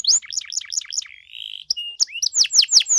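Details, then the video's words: Canary singing a lively, ornamented 'gacor' song meant to provoke other canaries to respond: quick repeated chirps, a short steady whistled trill, then a run of sharp descending sweeps. "KENARI GACOR DOR CENGKOK MEWAH BIKIN KENARI LAIN LANGSUNG RESPON BUNYI GACOR"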